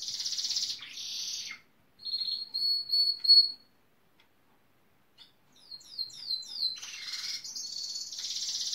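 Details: Gloster canary, a male said to imitate building-site machinery like a pneumatic drill and digger, gives dense buzzy rolls, a pause, a steady high whistled note with a stutter, then silence and a run of fast descending sweeps into more harsh rolling buzzes.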